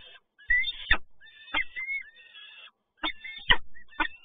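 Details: Peregrine falcon, Toruń, Poland, 7 May 2022, during a male's prey delivery: rising, whining wails interrupted by loud clicks and thuds at the nest site.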